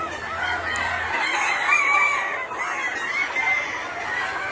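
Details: Free-ranging Gà Nòi, bantam Gà Tre and crossbred chickens in a spacious garden yard; loud overlapping cackles and clucks with short higher squawks in the middle.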